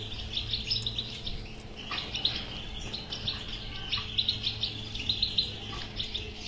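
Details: European goldfinch singing a batbata-style song, played to prompt a silent goldfinch to sing: a steady, fast twittering of high, bright notes with sharp chips, over a low constant hum.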